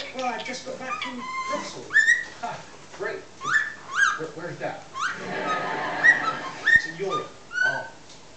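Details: Six-month-old pet cockatiel mixing whistled tunes with chatter and other noises; loud rising whistles roughly every second between lower mumbling sounds, with steady background noise.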